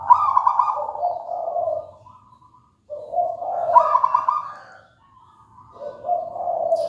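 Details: Zebra dove of local wild stock, singing steadily: three trilled cooing phrases, each opening with a higher rolling burst and sliding into lower purring notes, spaced about every three seconds over a faint low hum.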